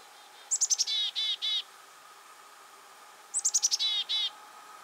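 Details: A chickadee in winter in eastern North America (Black-capped in the Northeast, Carolina in the Southeast) gives its namesake call twice. Each has a few quick, high 'chick-a' notes, then two or three buzzy, lower 'dee' notes, about three seconds apart.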